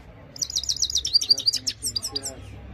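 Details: Himalayan goldfinch singing a clean-voiced song: a fast run of bright, high twittering notes and trills lasting about a second and a half, with a few scattered chirps after.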